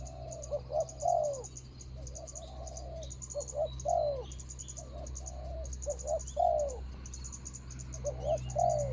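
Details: Rival-luring spotted dove on the ground, recorded 24 January 2022: a series of hoarse two- and three-note coo phrases repeated irregularly, with low humming, pulsing insect noise and faint distant bird notes.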